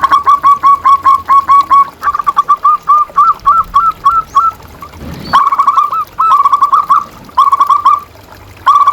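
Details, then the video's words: Zebra dove, a local perkutut used as a master recording for silent or stressed caged doves: loud staccato cooing phrases of quick clipped notes, bursts overlapping and restarting every second or two. "Suara Perkutut Pikat"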